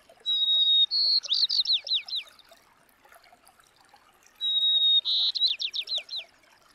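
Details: A White-crowned sparrow at a Colorado campsite after rain sings twice, about four seconds apart: a clear high whistle, then a quick run of buzzy, down-slurred notes and trills.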